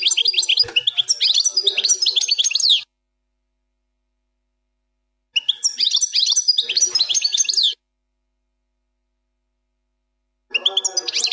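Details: European goldfinch singing in the plak mine song style, presented as a flawless song: dense, high twittering phrases of rapid sweeping and buzzy notes, in bursts of about two to three seconds separated by silent gaps.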